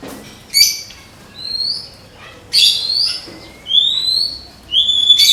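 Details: White-rumped shama from Medan kept for singing contests, giving high thin whistles and upslurred notes spaced a second or more apart, alternating with short harsh bursts.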